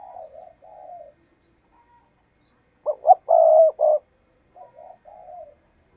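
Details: Spotted dove kept as a decoy, cooing to lure wild doves into traps: soft warbled notes, then a loud rapid burst of clipped coos and a long throaty one, trailing off into gentler coos.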